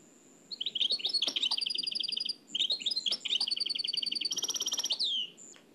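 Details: Oued El Alleug style song of a trained nightingale, transferred from old cassette: a faint whistle opens, then two rapid rattling trills of repeated notes, a brighter higher trill, and a fading whistle.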